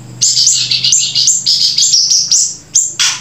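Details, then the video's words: Grey-breasted prinia song, a gacor song joined with siri-siri: a rapid run of high, bright chirps and short trills, repeated in quick bursts with brief gaps, ending in a louder buzzy note. "flamboyan gacor sambung siri siri"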